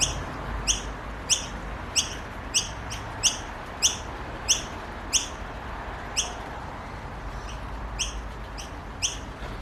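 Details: Australian Noisy Miner chicks begging for food in a garden, a family group. Sharp, high, ringing chirps come in irregular runs, some closely paired, then fainter toward the end, with a steady low rumble beneath.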